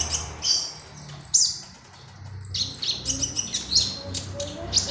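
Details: Lively magpie robin singing as a lure sound for training birds: bursts of very high, thin chirps and brief piercing whistles separated by short pauses, over a low background rumble.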